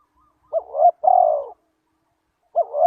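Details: Spotted dove lure call for drawing in wild doves: a clean, mid-pitched coo with a short wavering two-part note, then a long steady hum-like coo, a pause, and the wavering opening again. No other sounds.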